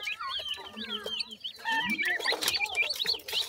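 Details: Young grey francolins at feeding time on termites: rapid chorus of thin, curved peeps from several chicks, with brief clicks and a faint low drone.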